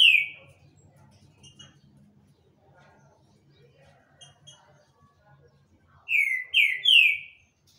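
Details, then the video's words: One loud downslurred whistle from a Rufous-bellied thrush, several seconds of near silence with a low hum, then a quick burst of three more ringing whistled notes. "trinca ferro Shaolin cantando muito"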